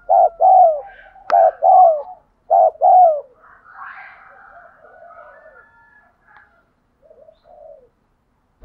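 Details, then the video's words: Spotted dove giving urging coos for training decoys: three pairs of hollow, falling coos, a sharp click, then a rough, drawn-out call and fading soft coos. "cu gáy thúc gù"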